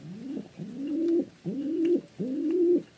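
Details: Short burst of pigeon cooing: a low note rising into three longer, level, throaty coos, each cut off sharply, with brief pauses between.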